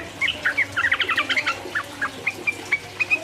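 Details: Sooty-headed bulbul in persistent 'ropel uplik uplik' song to rouse rival birds: a fast bubbling trill of crowded notes opens, followed by evenly spaced single clear whistles about every quarter second.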